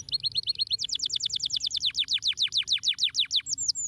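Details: Song of a canary, meant to stimulate lazy canaries to sing: short chirp series, then a long even run of steep descending whistled notes, about five per second, ending in a high sweep.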